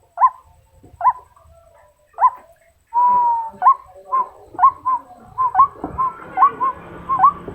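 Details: Female white-breasted waterhen calling males: a few spaced, rising hooked notes, a drawn-out level note, then a quickening run of clipped upturned calls with some background rustle toward the end.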